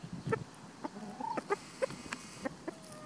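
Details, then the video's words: White rooster protecting free-ranging hens in spring; irregular short clucks roughly every quarter to half second, a brief rising tonal note, faint background rustle. "Chicken Sounds"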